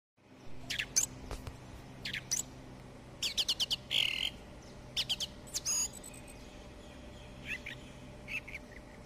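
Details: Skylark song: bursts of high, sharp chirps and rapid trilled notes separated by pauses, some short scratchy buzzes, over a faint low background hum.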